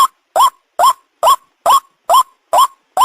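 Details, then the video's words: White-breasted waterhen calling ruak-ruak, recorded for luring birds: seven loud, rough croaks, each sliding upward, evenly spaced about every half second. "the sound of the ruak ruak"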